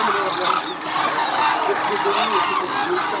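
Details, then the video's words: Close flock of Hooded and White-naped Cranes at Arasaki Crane Center, Kyushu, Japan, during unusual snow; dense overlapping trumpeting calls, short harmonic notes repeated rapidly by many birds at once. "Cranes in Arasaki Crane Center Kyushu Japan"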